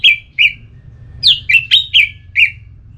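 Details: Orange-headed thrush song in the ngeplong style, from Singaraja in North Bali, used to stir another thrush into singing back: seven loud, short slurred whistles in uneven bursts, some swooping downward, over a faint low hum.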